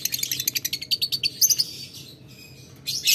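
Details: Lovebird in ngetik ngekek style calling a rival lovebird that replies. A fast string of crisp high ticks, about nine a second, merges into brief chatter, then near silence before a final shrill burst.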